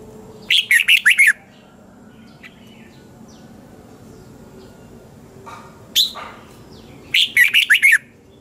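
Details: Morning song of a red-whiskered bulbul in the 'double-twist' style, from 2020, used as lure song to train other bulbuls: two rapid phrases of five warbled whistles about six seconds apart, with a lone sharp note between them.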